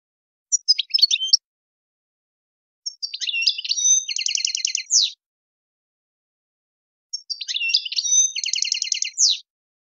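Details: European goldfinch singing Tadmait song meant to teach young birds error-free singing: three phrases separated by silences, the longer ones opening with jumbled twitters and closing in a rapid, buzzy, evenly pulsed trill.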